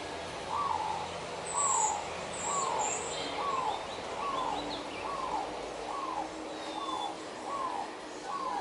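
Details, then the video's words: Zebra dove courting, restlessly following another bird to get its attention: soft, mid-pitched falling notes repeated about twice a second over steady background hiss, with faint high chirps of other birds. "Zebra Dove Flirting Sounds"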